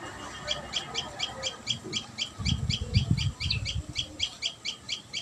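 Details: Common tailorbird at the nest repeats clipped high notes a little over two per second, while low thumping or handling sounds rise in the middle of the recording.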